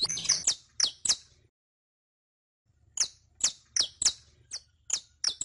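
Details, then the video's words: Canario criollo, the saffron finch, recorded for training a captive bird's song: a burst of high chirps, a pause of silence, then evenly spaced bright downslurred notes roughly twice a second. "ENSEÑA A CANTAR A TU CANARIO CRIOLLO CON ESTE AUDIO DE 15 MINUTOS [SICALIS FLAVEOLA]"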